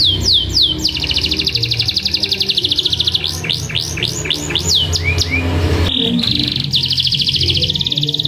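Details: Canary song with long roll used to get other canaries singing: high swooping whistles, then long buzzy rolling trills, brief sliding notes and a sudden switch to another steady trill, over low background hum.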